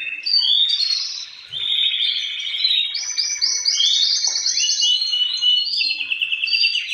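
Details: Male canaries singing in captivity, a prime singer with others replying, intended to spur breeding. Clear stepped tours of rapid, even pulsing trills hold each pitch about a second before jumping higher or lower.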